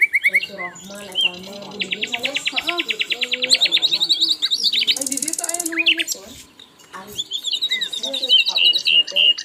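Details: Asian brown flycatcher in vigorous training song: a varied stream of chattering notes, long rapid buzzy trills, a loud harsh hissing burst midway, then a pause and renewed high twittering.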